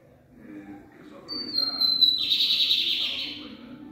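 A lined seedeater sings a clear, high, sustained whistle, then breaks into a fast, buzzy trill lasting over a second. Faint low background noise underneath.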